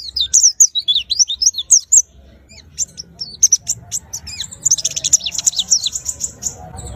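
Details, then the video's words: Pet white-eye produces quick high twittering notes, then scattered chips, ending in a dense buzzy trilled burst of high notes. "Rawatan pleci agar rajin bunyi"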